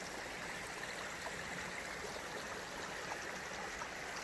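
Rushing stream water runs continuously, with no animal voice audible.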